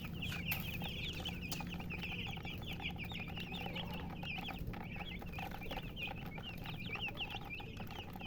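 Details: Chicks of the domestic chicken peeping busily, many short high chirps overlapping in quick succession, after a couple of sharp clicks at the start, over a low background hum.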